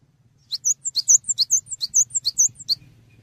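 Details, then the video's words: Cinereous tit, locally gelatik batu, in full voice as a training model for songbirds: a rapid run of about a dozen piercing, high chirps swapping between two notes, over a soft low rumble. "GELATIK BATU GACOR UNTUK MASTERAN"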